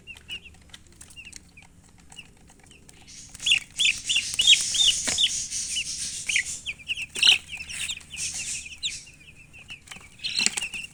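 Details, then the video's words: Several baby chicks chirping together: steady, high, thin peeps that build into a dense, overlapping chorus of loud cheeps in the middle, then ease back to scattered chirps. "Baby "Chicks Chirping" Sound"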